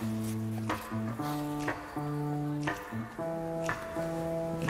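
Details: Plucked acoustic guitar playing a slow melody of sustained notes and strums, with no animal sound present.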